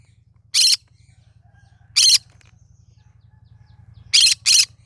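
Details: Green-cheeked conure, cinnamon form, uttering four rough, scratchy shrieks, the last two in a rapid pair, with a low droning hum underneath throughout.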